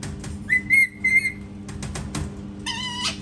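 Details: Parrot known for copying cat noises: a long level whistle broken into two parts, then a rich harmonic whistled note at the close, with a constant indoor hum underneath.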